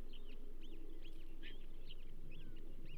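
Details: Osprey calls at the Charlo nest on 15 June 2024, bull trout delivery: quick, arched, whistled chirps repeated several times a second, high and thin, against heavy low background noise.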